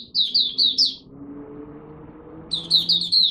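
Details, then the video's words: Malaysian oriental white-eye, a caged songbird, warming up its song for the first time of the day: two bursts of high, rapid chattering notes about half a second apart, separated by a quiet pause with low room hum. "Malaysian Mata Puteh Buka Sing Poseidon 1st warm up for the day"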